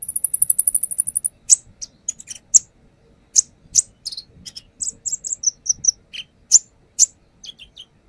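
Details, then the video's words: Brown-throated sunbird, konin, singing through its repertoire for use as a lure: opens with a fast, very high buzzy trill, then scattered sharp chips, short whistles and quick twittered notes of varying pitch. "AKSI KONIN NAGEN BONGKAR ISIAN | Pancingan konin"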